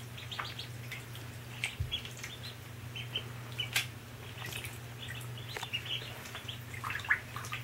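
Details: Mallard ducklings in a bathtub give scattered high, thin peeps in short bursts, over a steady low electrical hum and a few splashes and knocks.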